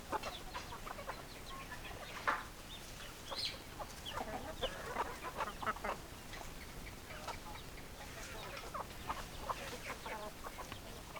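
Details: A flock of chickens clucks and chatters continuously for several seconds, with dense overlapping short notes and a few louder sharp calls.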